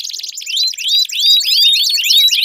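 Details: Canary song used to coax a silent canary into singing, with rapid rising and falling whistled sweeps, high and dense, repeating without pause.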